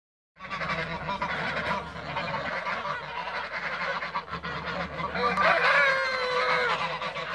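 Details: Toulouse geese in a backyard, flying and feeding; a dense, continuous chorus of harsh nasal honks from several birds, rising louder near the end, over a steady low hum.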